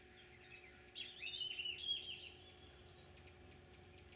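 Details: Rufous hummingbird, an immature male with incomplete gorget, wintering at feeders and native nectar plants in San Benito, deep South Texas, 28 December 2013: a quick burst of high, twittering chatter, then scattered sharp, high ticks over faint background hum.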